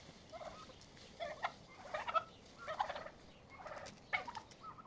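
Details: Turkeys fighting to exert dominance and set a pecking order; a series of short, harsh yelping bursts roughly every second, with faint clicks and low background noise.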